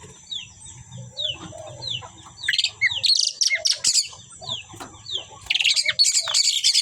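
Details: Asian pied starlings, two birds, start with soft descending whistles, then build into loud, harsh, rapid chattering bursts.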